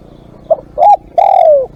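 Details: Spotted dove kept as a live decoy (ต่อสด). A faint soft note is followed by a short rising-falling coo and a long hoarse coo sliding steadily downward.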